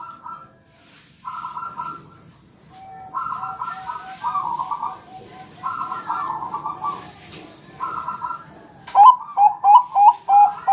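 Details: Champion Bangkok zebra dove on a tutor recording meant to make caged birds answer. Hoarse, buzzy rolling phrases repeat with gaps, then a quick series of sharp, clipped coo notes closes the passage.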